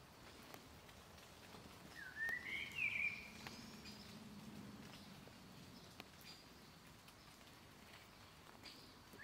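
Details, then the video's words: A Black redstart in Rakovnik, Ljubljana, Slovenia, on 4 June 2023 gives a brief burst of high, thin, squeaky notes over about a second, then a lone faint chirp later, against steady background hiss. "Phoenicurus ochruros ŠMARNICA"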